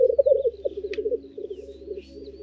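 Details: Male black grouse displaying at a spring lek in Perthshire, Scottish Highlands, in the very early morning: a steady, low bubbling coo that rolls on without pause, with faint thin higher whistles over a low hum.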